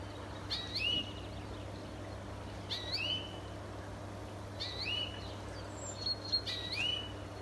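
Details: European greenfinch in a neighbour's garden gives a short, clear, rising whistled note about every two seconds, over a steady low hum and faint background noise.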